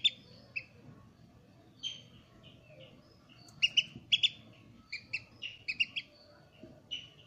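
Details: Freshly hatched Eurasian oystercatcher chick at Zoo Praha, 24 July: scattered thin, high peeping notes, sometimes single, sometimes in tight pairs or clusters, with irregular pauses between, over faint low background rumble.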